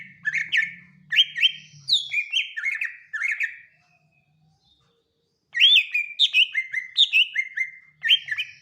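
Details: Cucak ijo, the Greater Green Leafbird, in a comparison of BWI, Kalimantan and Sumatran song: a rapid run of loud, clear, slurred whistles, a short silence, then another fast burst of ringing downslurred notes.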